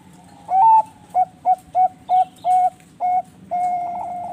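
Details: Captive Bangkok-type zebra dove from a breeding farm in Bekasi, West Java, singing vigorously: a long opening coo, then five or six short, evenly spaced mellow hooting notes, ending in a long steady note.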